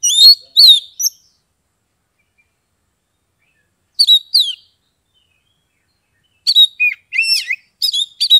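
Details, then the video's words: Caged Oriental magpie-robin (kacer) from Kebumen, Central Java, Indonesia, singing ngeplong. Clear, sweeping whistles come in three spaced groups; the last is a lively run of rising and falling notes. "SUARA KACER NGEPLONG"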